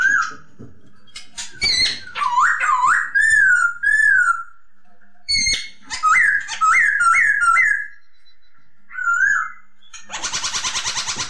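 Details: Masked laughingthrush (poksay hongkong) song: looping and stepped whistled phrases in groups, with clicks and noisy bursts, ending in a loud rapid buzzing rattle over background hiss.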